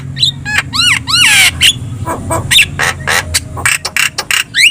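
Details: Javan myna singing energetically in gacor style: repeated descending whistled slurs, a harsh rasping burst, then a mix of clicks, chips and a closing rising whistle.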